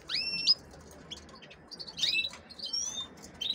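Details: Female canaries kept in captivity to be hybridised with goldfinches. Bright whistled chirps sweep upward at the start. A cluster of sharp notes follows around two seconds, then a longer level whistle near three seconds, with quiet gaps between.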